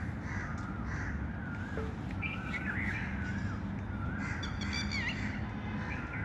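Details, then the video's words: Birds chirping outdoors: wavering whistled phrases and quick rising and falling notes, with a brief rapid twittering series near the end, over steady low droning background noise. "birds chirping sound"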